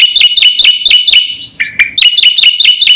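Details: Black-winged starling's fast, varied song for prompting and tutoring birds: rapid shrill chirps repeated about five per second, broken by a brief lower whistled note before the chirping resumes.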